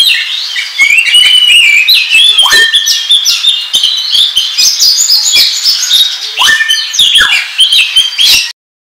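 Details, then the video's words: Oriental magpie-robin trapping-lure song: a rich, unbroken torrent of whistles, chatters and clicks, with two lower downward-sliding notes, ending abruptly in silence. "SUARA PIKAT KACER NGOBRA TERBAIK PALING AMPUH"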